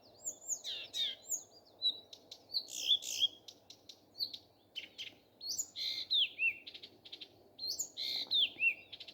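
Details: Morning song of a common nightingale: loud, varied phrases of rapid clicks, pure whistles and sharp descending notes, delivered in bursts separated by short pauses, over a steady low hum.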